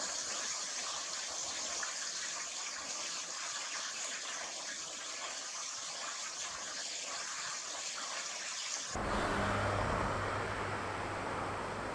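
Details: Steady broadband rushing noise like traffic or water, shifting abruptly to a louder, coarser hiss near the end, with no animal calls.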